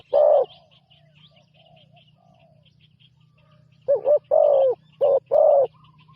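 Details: A new spotted dove out for its first training session on the ground calls with one coo, then a pause, then a fast run of four throaty coo notes. Soft high twitters from other birds and a steady low hum continue.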